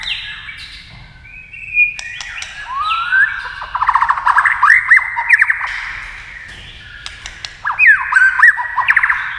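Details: Singing in a duel with a TV, a white-rumped shama gives a long upward-sliding whistle, then rapid rattling trills and looping notes, a quiet gap, and fresh whistled phrases.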